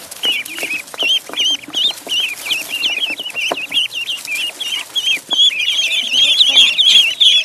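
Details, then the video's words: Duckling on a pond peeping steadily: bright, high-pitched notes with a little upward wobble, about two to three each second, becoming denser and overlapping near the end, with soft background rustle. "Duck Sound duckling in the pond -duck quack"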